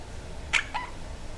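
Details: A pet talking monk parakeet gives two quick, raspy syllables half a second apart, like clipped speech, over a quiet indoor background.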